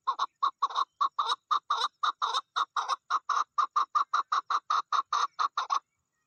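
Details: Chukar partridge, a female during the mating season, giving a long even train of harsh, clipped chuk notes, some twenty-five in under six seconds, then silence.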